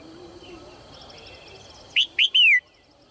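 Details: Red-whiskered bulbul female calling to coax males into singing. After quiet, she gives one bright phrase near the end: two quick upswept chirps, then a drawn-out whistle falling in pitch, against a soft background hiss.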